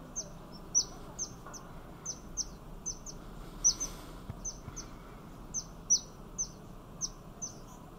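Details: In Thailand, a Yellow-bellied fairy-fantail gives a run of about seventeen brief, high-pitched downslurred notes. Spacing is uneven, sometimes paired, with a quiet hiss underneath.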